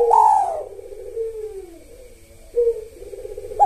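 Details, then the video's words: Spotted dove in kuk satu song with the sahur rhythm, starting on a loud high coo that slides down into long, soft, wavering low coos, with another short coo near the end. "Tekukur Kuk Satu Gacor Buat Pancingan irama Sahur"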